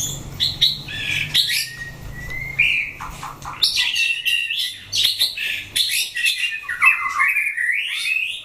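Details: White-rumped shama being fight-tested, pouring out dense, fast, high chattering and whistled notes with harsh squawky bursts and swooping slides, nearly continuous throughout.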